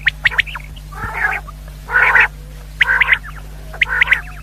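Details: Common quail lure recording, described as a female bird, used for hunting. Rough, buzzy nasal bursts repeat about once a second, each answered by quick high chirps, over a constant low hum.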